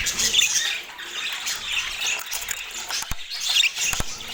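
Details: Budgerigars chattering in a flock: squeaky, scratchy warbles and short chirps rise and fall in bursts, with a couple of sharp clicks late on.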